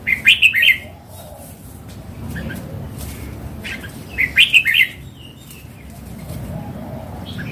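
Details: Two bright, bouncy phrases of about five rapid warbled notes, roughly four seconds apart, from a mature wild Red-whiskered bulbul with red cheeks; otherwise soft background noise.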